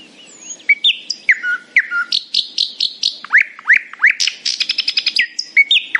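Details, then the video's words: Happy nightingale singing in the morning, delivering rich varied phrases: dropping whistles, rapid upward sweeps, then a dense rattling burst of fast high notes fading into a falling whistle. "A happy nightingale singing in the morning."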